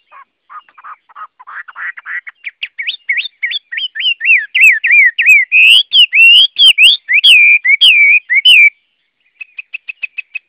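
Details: Chinese hwamei song that builds from soft, rapid notes into an accelerating string of loud, rolling whistled phrases. A pause follows, then a few quiet, quick repeated notes.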